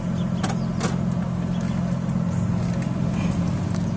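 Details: Low steady engine drone of a car, with clicks and knocks above it, and no animal sounds.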